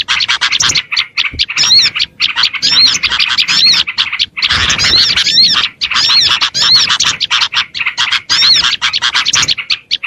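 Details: Small birds heard through a lure recording meant to attract small birds: dense, overlapping high chirps and squeaky, repeated notes pour almost without a break, with a few short pauses.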